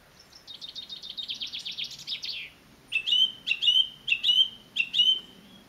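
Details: Song thrush singing in the Avenue at WWT Caerlaverock: a fast, jumbled twittering phrase, then one clear whistled phrase with a high flick, sung four times in a row about half a second apart.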